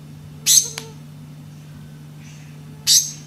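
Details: Song of the black-cheeked gnateater: a sharp, noisy, very high burst followed by a quick click, then a second similar burst over two seconds later, set against a steady low hum.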